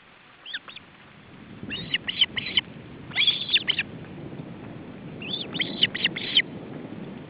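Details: Male osprey with chicks, feeding attempt at the nest, July 2012. Repeated bursts of clipped, piercing chirps, each group of three to five notes, coming in three waves over a soft hiss.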